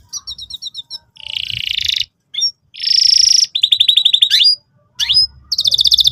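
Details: Energetic canary song meant to prompt young canaries learning to sing. Short varied phrases: a row of quick high chips, a harsh buzzy rolling tour, another buzzy block, then a rising whistled series and a fast high trill, separated by brief pauses.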